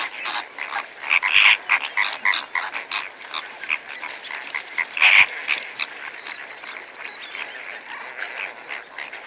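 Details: Greater flamingos, several birds feeding among lesser flamingos, heard at medium-close range: a busy chatter of short goose-like honks with louder bursts around one and five seconds, then thinning to softer scattered calls.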